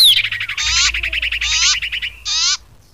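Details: Lure call of a common iora for bird trapping: a rapid chattering trill of sharp chirps broken by three short buzzy bursts, ending abruptly in near silence.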